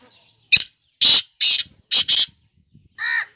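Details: Kala teetar, the black francolin, calls in a loud scratchy phrase: a sharp lead note, two harsh grating notes and a rapid doubled pair. A softer, tonal, nasal call follows at the end.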